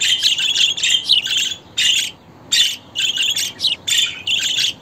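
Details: Budgerigar chatter, male and female sounds intended to prompt pet birds to sing: dense bursts of warbling, scratchy chirps and squawks in rapid clusters, with brief pauses between phrases.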